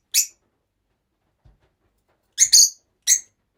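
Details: Several rosy-faced lovebirds kept together, giving short harsh high-pitched shrieks: one call, a pause, then a quick burst of three sharp calls near the end.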